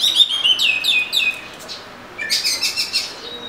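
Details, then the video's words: Oriental magpie-robin giving a rapid series of repeated descending whistled notes, then a pause and a burst of scratchy high chatter. "Murai Kampung/ Magpie Robin"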